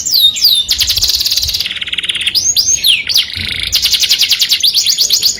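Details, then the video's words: Courting canary delivering melodious song: looping slurs, dense rattling trills and a lower rolling passage, then more fast pulsed notes. "o som melodioso de um canário atrai o sexo oposto junto com o som"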